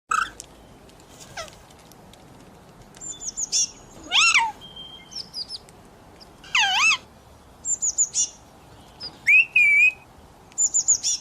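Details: Pet talking parrot said to call for mummy and ask for roti: scattered squawky, harmonic bursts, some rising and falling like speech, with short gaps and a few thin high squeaks.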